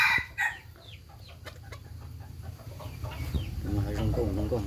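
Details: Chicken heard in a short harmonic call at the start, then a run of quick, irregular clucks and chattering notes, growing steadier toward the end over a low background hum.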